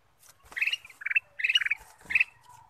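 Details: Kutilang emas bulbul used as a singing lure: three rich, bubbling, slightly buzzy phrases spaced about half a second apart, with low knocking sounds underneath.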